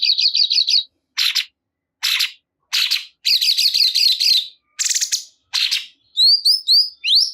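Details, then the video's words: Cungkok bulbul producing a series of wavering looped whistle phrases and short buzzy bursts, each lasting well under a second and separated by brief pauses, ending with sharp rising chirps. "Cungkok Kurang Emosi !! Silahkan Putar Dijamin Burung Cungkok Anda Langsung Ikut Gacor"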